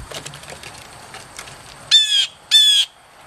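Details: Blue jays calling at lunchtime: two loud, harsh, raspy calls about half a second apart near the end, each a buzzy burst with a band of overtones, following quieter scratchy rustling.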